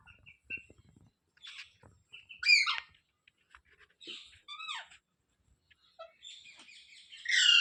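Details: Mixed chirps, falling whistles and short squawks from a pet rose-ringed parakeet, irregular and varied, ending in a loud rising harsh screech, with soft clicks and rustles between calls.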